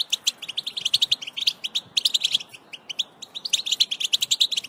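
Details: European goldfinch, males in breeding preparation, in bitbita twittering: quick sequences of tinkling, high-pitched notes in three energetic bursts separated by short pauses.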